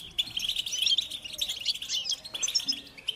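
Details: European goldfinches chattering in a group; a short burst of quick liquid twitters and buzzy trills, lively and overlapping, fading slightly at the end.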